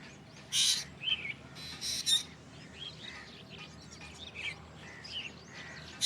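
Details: Black drongo calling with loud harsh rasping bursts alternating with quick slurred whistles and squeaky chirps, irregular in rhythm, over a faint outdoor background.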